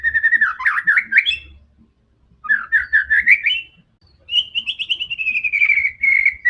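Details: Fighting white-rumped shama used to provoke other birds, delivering rapid undulating whistled trills, a pause, a rising rolling phrase, then a long slightly falling pulsed whistle; soft low background hum.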